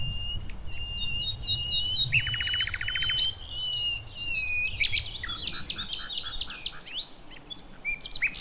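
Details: Nightingale from wild forest in Java and Aceh, a female calling the male, used to lure young birds: high whistles and a rapid buzzy rattle, then loud sharp chirps, over low rumbling noise.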